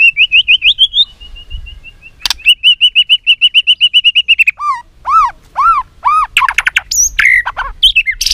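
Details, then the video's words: Shama (white-rumped) fighting song for voice training: a rising warbled trill, a loud click, a long even rattle of rapid notes, then four or five loud arched whistles and harsh buzzy bursts. "Chòe Lửa Tạch đập kích Đấu Cực chất. kích Chòe Lửa lên lửa nhanh căng.Luyện giọng chòe Lửa hót đấu"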